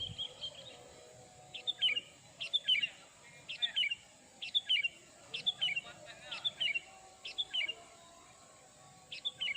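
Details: Sooty-headed bulbul calling as a lure for wild bulbuls and silent caged ones: bright two-part chirps with quick falling tails, repeated roughly once a second for the whole stretch, a constant high hum behind.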